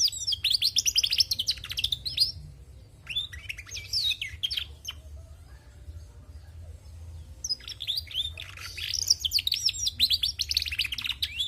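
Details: Female canary in full, lively song: bursts of rapid high twitters and trills, a short whistled phrase mid-way, a quieter gap, then another long, dense burst of rattling trills.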